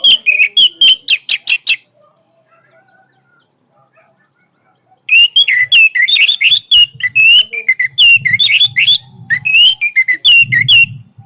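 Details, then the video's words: Orange-headed thrush in powerful song: a burst of sharp, high whistled notes, a pause of about three seconds, then a long, loud run of rapid, varied chirps and warbles, with a low rumble underneath near the end. "kicauan Anis merah yang bertenaga"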